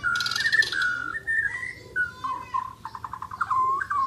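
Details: Asian brown flycatcher singing eagerly, mixing rich whistled warbles with a burst of harsh high notes and a quick stuttered run of clipped repeated notes, over a low hum.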